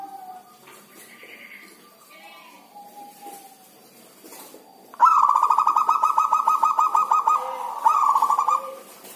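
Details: Caged zebra dove that seldom sings during the rainy season, here delivering a long rapid trilled cooing phrase from five seconds, broken briefly and resumed, after faint scattered bird notes.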